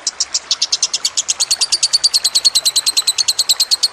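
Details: Lovebird in a training recording with trickling water: roughly 32 squeaky high chirps that quicken to about eight per second, the notes running together into a rapid chatter.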